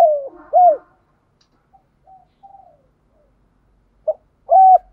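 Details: Decoy spotted dove calling in thúc gù style. One hollow arched coo is followed by faint, broken cooing, then a short note and a level coo begin a new phrase near the end.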